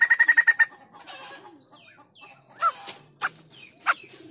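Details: White-crested laughingthrush in active song: a quick burst of six harsh, evenly spaced notes opens, followed by scattered rising whistles and sharp chirps with quieter gaps between.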